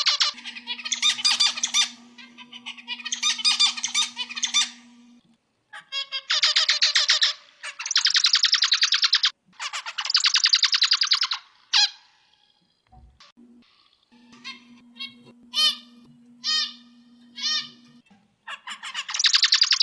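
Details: Zebra finch song used as a master recording for training other birds: nasal, buzzy stacked notes in rapid bursts, harsh rasping phrases and sharp chips, with a steady low electrical hum in places.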